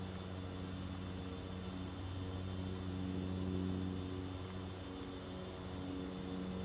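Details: Steady electrical or mechanical hum with layered drone tones and hiss, no animal voices heard.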